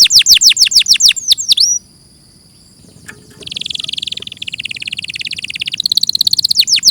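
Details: Canary song from a clear tutor recording. Quick downward-sweeping whistles, a thin sustained note, a brief silence, then a long buzzy roll rising into sharp repeated chips.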